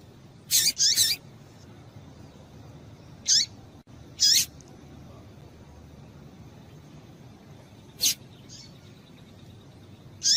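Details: Female Double-collared seedeater calling to warm up and stimulate males to sing: short, very high, sharp chirps, mostly paired, in bursts about every three to four seconds over a soft steady hiss.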